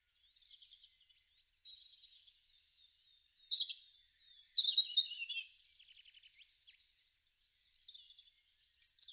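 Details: Robin song from a garden in March–April 2013: faint thin notes, then a loud phrase with piercing high whistles and a fast buzzy trill, followed by soft twittering and a brief renewed burst.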